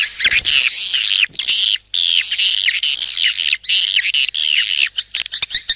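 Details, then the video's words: Swiftlet calling sound used as a lure, with long strings of bright chirps and downward-sweeping twitters running almost without pause. "SUARA PANGGIL BURUNG WALET"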